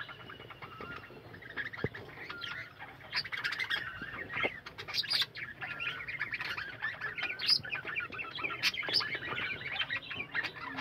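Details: Budgerigars in a captive colony aviary warble and chirp continuously. The soft, scratchy chatter swells into louder, sharper squeaks and clicks midway through.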